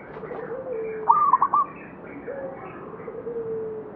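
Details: Local zebra dove near the Candi Rimbi temple ruins in Pulosari village, Jombang, northwest of Mount Anjasmoro's foothills: soft low coos with a brighter burst of quick stuttering notes in the middle, then further drawn-out low coos.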